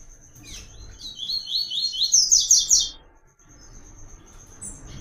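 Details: Papa-capim, or coleiro, delivering the "Tui Tui" song pattern sought by breeders for training: a loud two-second run of quick, clean high notes that climbs slightly, then stops into near silence, with a steady thin high tone underneath.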